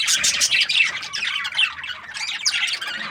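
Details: Happy budgerigar chirping: rapid, raspy warbled chatter mixed with short squawks and trills, running steadily throughout with overlapping voices.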